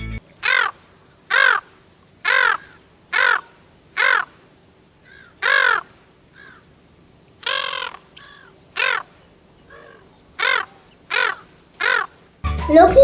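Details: A Brown-headed Gull in Sri Lanka gives about a dozen harsh, rasping caws roughly a second apart, the noisy call of a species that is loud especially at colonies; a burst of music comes in at the end.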